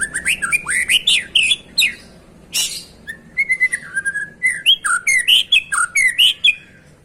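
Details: White-rumped shama singing a rich, fast run of varied whistled phrases: rising and falling slurred notes, sharp upward sweeps, and rapid high chips, delivered in quick bursts with short pauses over a quiet background.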